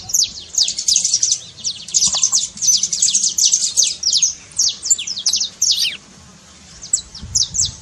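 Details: Saffron finch trilling to provoke a quiet canary into song: a long, dense stream of rapid high chirps, easing off around six seconds before a few final notes return.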